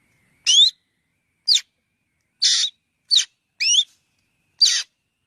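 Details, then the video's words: Black drongo giving loud rising whistles and short harsh grating notes, about one call per second, irregularly spaced, with no other sounds. "tiếng chim chèo bẻo kêu"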